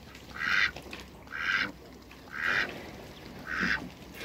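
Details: Three farm Toulouse geese meet three Muscovy ducks. Four loud, rasping, broadband honks, each about a third of a second long, come roughly once a second with quiet gaps between them.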